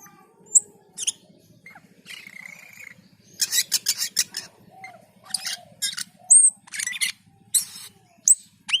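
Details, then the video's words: Cucak keling (Black-and-white bulbul) song in its gacor state: scratchy buzzy bursts, rapid clicking trills and sharp high squeaks with soft lower slurred notes, over a faint constant low hum. "Suara MENYERAMKAN Burung Cucak keling ketika gacor dan teler"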